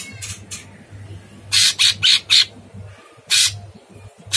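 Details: Sooty-headed bulbul, a very active singing cage bird, used as a harsh-voiced masteran training song; loud rasping broadband bursts, a quick run of four then single bursts, over a steady low hum.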